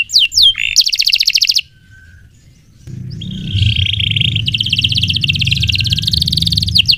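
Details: Canary song for training: brief falling notes and a buzzy trill, a short lull, then a sustained buzzy rolling trill over rising low background noise.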